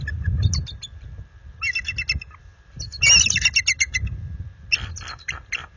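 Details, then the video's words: Nesting bald eagles issuing alerts and warnings to an intruder eagle after dark, February: several bursts of rapid high staccato chirps, the loudest in the middle, with pauses between and faint low rumble. "Intruder Adult Eagle - Visits After Dark- Bella Smitty Defend Nest"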